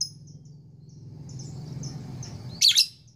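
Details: Female lovebird courting a male in a long ngekek session. Soft high twittering notes lead into a loud, harsh double chirp near the end, with a constant low droning hum behind.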